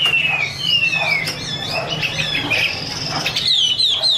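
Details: Female Chinese hwamei singing 'mái te' with a male bird in the background: long clear whistles sliding slowly downward, a steady high tone, then quick descending whistled notes, over low background hum.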